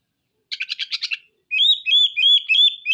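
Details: Oriental magpie-robin (kacer) in energetic song, unloading its repertoire of rough 'materi kasar' material; a harsh stuttering rattle of six buzzy pulses, then a string of bright, clear whistles, each upslurred and evenly repeated.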